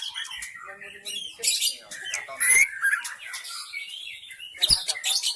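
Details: Wild white-rumped shama from the forest, used as a lure sound to attract shamas: a dense run of varied whistles, sharp clicks and rapid twittering phrases, with loud bursts near the start and end.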